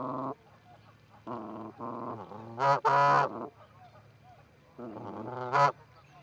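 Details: Canada geese, two birds at the Charlo osprey nest, Montana, 4-7-18, captured by a nest cam: separate long nasal honks spaced about a second apart, one loud double honk in the middle.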